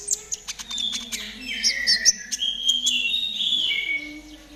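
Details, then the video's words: Training recording of konin trotol song meant to make a caged bird sing quickly: a run of rapid sharp ticks, then long bright whistled phrases falling and rising, with a faint low hum beneath. "TERAPI KONIN TROTOL AGAR CEPAT BUNYI || MASTERAN KONIN TROTOL GACOR"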